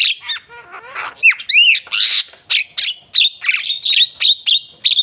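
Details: Javan myna song opening with low gurgles and twisting arched whistles, then a steady series of sharp, strident chip-whistles repeated roughly every third of a second.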